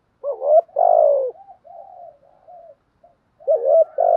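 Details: Spotted dove singing bản thúc style with coos: a loud two-part coo, a string of soft low murmured cooing notes, then the loud phrase begins again.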